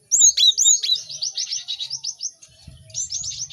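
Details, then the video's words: Lively cinereous tit singing, meant for other birds to learn from quickly: sharp whistled notes, then a fast run of repeated high chirps, a brief pause and another quick burst. "Pacingan gelatik batu ramai untuk maksimalkan burung belajar cepat bunyi"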